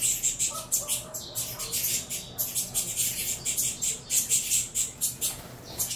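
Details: Saffron finch chicks of a captive Venezuelan cross making a racket as they are fed, with repeated raspy, hissing high begging bursts and a few squeaky notes in quick sequence.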